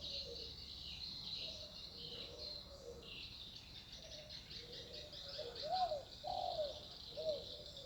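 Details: Spotted dove heard in a quiet natural landscape. It gives a series of faint, soft coos that build to three clearer, louder rounded notes near the end. Insects buzz continuously in the background.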